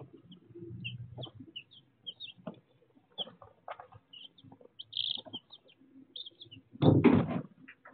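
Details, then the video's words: Baby chicks on an unedited chicken cam giving brief high-pitched peeps, singly and in small bunches, with a louder burst near the middle, then a sudden scuffle of scratching or wing noise near the end. "ASMR almost one hour of Baby Chicks!"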